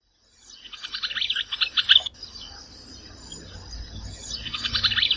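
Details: Streaked Flycatcher of the subspecies solitarius in the Brazilian Cerrado: a squeaky, chattering phrase of quick high notes lasting about a second and a half, a gap, then the phrase starts again, over faint low background hiss.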